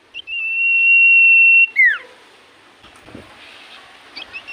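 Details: In full voice, a common iora whose song makes other ioras answer: one long, steady, high whistle held for well over a second, then a rapid falling slur, followed by quiet rustling background.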